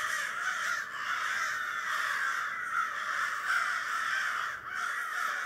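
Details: Many birds at APNB clamouring together, their harsh calls blending into a constant, dense chatter that barely rises or falls, briefly dipping just before the end.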